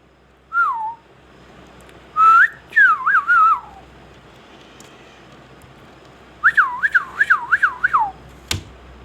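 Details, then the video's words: Indian ringneck parakeet producing loud whistled notes: a short falling whistle, a rising tone followed by wavering descending phrases, then a rapid run of looping up-and-down whistles and a single sharp click at the end. "Indian ringneck parrot amazing |parrot |Indian |talking |sweet |parrot"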